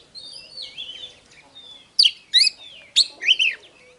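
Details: Oriental magpie-robin song in the hót déo style from a fight-provoking recording: soft drawn-out whistles at first, then three loud sharp phrases of slurred notes about half a second apart.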